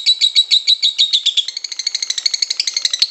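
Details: Lovebird in extended ngekek chatter, kusumo style, meant for training birds. It begins with slower, fuller pulses, then speeds into a tighter, quicker buzzy trill.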